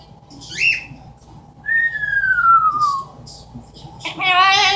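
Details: Pet Amazon parrot imitating sounds: a brief harsh note, then a long smooth whistle sliding gradually downward, ending in a rich buzzy squawk, indoors with low background hum.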